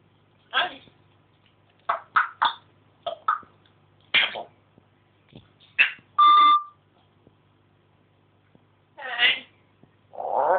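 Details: Pet African grey parrot chatting indoors at home, answering the phone and making all sorts of noises; a series of short squawky and speech-like syllables, then a sustained beeping tone like a phone, and a final drawn-out call.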